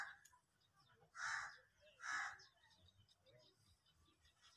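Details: Indian peafowl during a dance display with its feathers opened: two loud, harsh, nasal calls about a second apart, with faint background sounds between.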